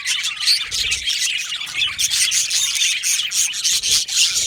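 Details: Aviary flock of yellow male budgies producing fast, overlapping chirps and scratchy warbles, bursts repeating several times a second, with faint rubbing or scraping noises mixed in.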